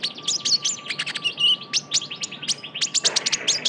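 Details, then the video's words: Young Javan white-eye in full, lively voice, used as a lure sound: rapid bursts of high, sharp chirps and short tweets packed closely together, with a few brief whistled notes, continuing without pause. "PANCINGAN KONIN TROTOL GACOR (KOLIBRI NINJA)"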